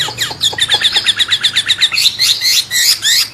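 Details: Wambe bird with a murai-like song, used to provoke and tutor songbirds: a rapid, steady string of high chipping notes ends in louder, rising whistled phrases, with a low hum in the background.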